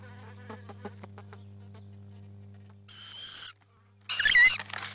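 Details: Rainbow lorikeets at their nest: soft clicking chatter at first, then two harsh rasping screeches, the second louder and more strident, above a low hum.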